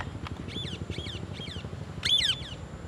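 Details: Among several parrots, one eating an apple, faint raspy calls repeat softly before one louder, harsh descending squawk stands out near the end, over a low rumbling background.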